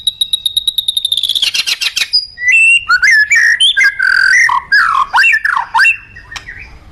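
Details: Captive white-rumped shama (murai batu) in full song: opens with rapid repeated high notes speeding into a trill, then a loud varied run of whistled and buzzy phrases sweeping up and down.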